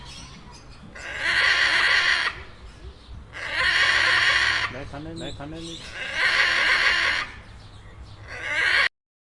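Macaws give harsh, raspy screeches, each about a second long, repeating every two to three seconds. A brief voice-like sound comes between them.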